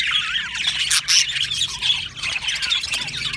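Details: Australian budgerigars in an aviary colony chirping: a dense, overlapping chorus of bright warbled chatter and short squeaky notes, with brief louder bursts near the middle and no pauses.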